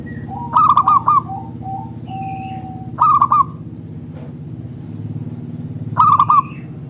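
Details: Local zebra dove singing as a lure for other doves: three loud bubbly phrases of quick clipped coos roughly three seconds apart, with softer single notes and a faint higher call between.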